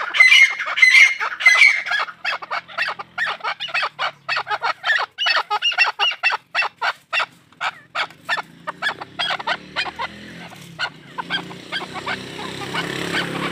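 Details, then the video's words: Farm chukar giving a quick series of sharp clipped notes that slow and fade over several seconds, ending in a hissing background noise. "Farmi chakor francolin voice |chakor ki awaaz | chakor farmi"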